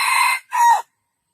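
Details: Crow of a junglefowl, heard as the end of a loud, rasping call. A sustained harsh note is followed by a shorter falling syllable, then silence.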